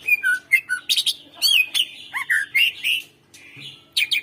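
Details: Greater green leafbird song used to stimulate reluctant birds to sing: busy mix of looping whistles, downslurred notes and harsh chatter, nearly continuous with a short gap before a final burst.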